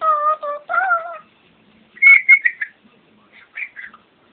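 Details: Pet bird singing indoors with its owner: clear, steady whistled tones in short pairs, then higher, chirpy warbled notes broken by brief silences.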